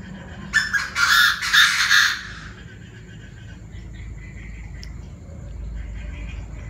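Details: Several Chinese francolins with many voices raising an uproar at 19:00 on 9/18: a loud, harsh, grating burst of overlapping calls lasting about a second and a half, then steady evening background hiss.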